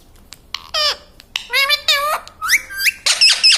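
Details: Pet parrot that repeats "mummy papa" and "Sita Ram", producing a rapid string of short, squeaky, voice-like syllables, some sliding down, some stepping up, growing shriller toward the end.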